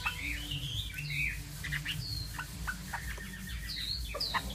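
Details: Chinese hwamei song with loud, sweeping whistled slurs, some rising and some falling, mixed with short clicks and chips, over a low steady hum.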